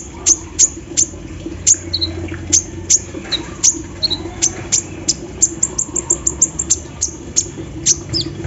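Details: Morning-dew session of an olive-backed sunbird singing an embroidery-machine filler song. Rapid, sharp, very high ticks speed up into a dense rattling stutter, with a few short lower notes mixed in. A low background hum is audible.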